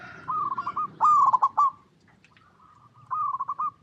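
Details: Local zebra dove singing: a soft rolling coo, then a loud stuttered burst of clipped notes, a pause, and another rolling phrase near the end.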